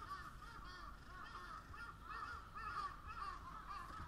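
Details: A chorus of crows, rapid harsh caws tumbling over one another at roughly two per second, loud and continuous, with faint low noise underneath.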